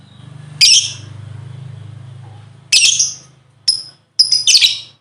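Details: Lovebird lure sound meant to prompt other birds to sing: a few shrill, harsh chirp bursts spaced over several seconds, over a steady low electrical hum.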